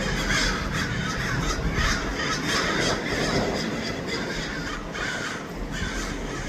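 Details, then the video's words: Lots of crows in Los Angeles cawing rapidly and all at once, a thick stream of rough, overlapping calls above heavy low background noise. "Lots of crows"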